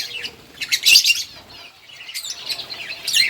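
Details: Captive lovebirds eating green food give sharp, high chirps in short bursts, with a pause in the middle and another burst near the end; a faint low hum sits underneath.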